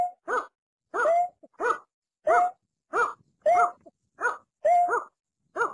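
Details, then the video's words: A watercock, a bird of rice fields and swamps, gives hollow, gulping mid-pitched notes, roughly ten in six seconds, some in quick pairs and some with a short rising whistle. "Mp3 Ayam Ayaman Sawah | Berkik/Tiruk"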